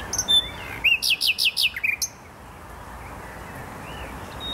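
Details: Poznań Botanical Garden, Poland: a nightingale gives a few sharp notes, then a quick string of seven rising repeated notes, followed by faint distant chirps.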